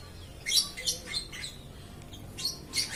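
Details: Lovebird chattering without pause: a jumble of rapid, high, scratchy chirps and squeaks in uneven clusters, partly softer and blurred by background noise.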